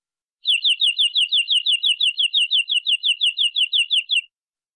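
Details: A local canary sings a rapid, even trill of high chirping notes, about five per second, held for nearly four seconds against a silent background, recorded as a training song for other canaries.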